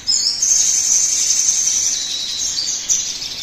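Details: Sogon bird as a lure to stir other birds to sing: a continuous, very high, thin whistled trill lasting about three seconds with slight pitch wavering and a brief final flourish.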